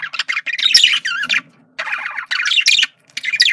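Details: Male budgerigar communication sounds: bursts of loud, rasping, buzzy warbling with curving whistled notes, separated by short pauses.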